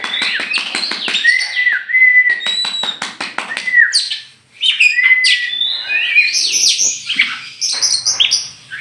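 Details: Champion oriental magpie-robin from Meulaboh, Aceh, tame and let out before being caged. Rapid ticking clicks lead into clear, level whistled notes, repeated slurred phrases and high chirps in a lively, continuous song.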